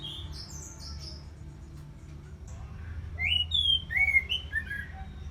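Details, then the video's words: Orange-headed thrush in captivity in northern Bali, thin high whistles early on, then louder clear whistled notes rising and falling in a short varied phrase over steady low hum. "ANIS MERAH Ngeplong Lemas"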